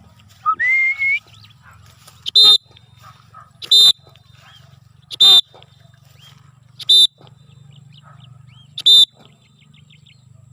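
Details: Cockatiel on its first free flight: a brief rising whistle at the start, then five loud, harsh, harmonic-rich screeching calls spaced about one and a half seconds apart, over a low steady hum.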